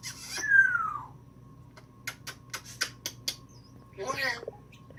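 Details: Pet female African grey parrot, newly acquired, indoors, mimicking sounds. A smooth whistle falls from high to mid pitch, then a run of sharp clicks, then a rough, breathy burst like a sneeze, over a low household hum.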